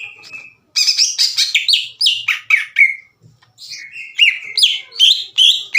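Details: Caged greater green leafbird singing loud, strident song, agitated and challenging rivals to fight; bursts of harsh chattering notes mixed with slurred whistles, a brief pause, then rising whistled phrases repeated rapidly.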